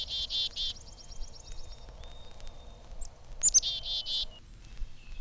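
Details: A Black-capped Chickadee in spring, seeming to expect food, gives harsh, buzzy chickadee-dee-dee calls in two bursts. Thin high notes and a faint clear fee-bee whistle come between them, over the hiss of a 1954 recording.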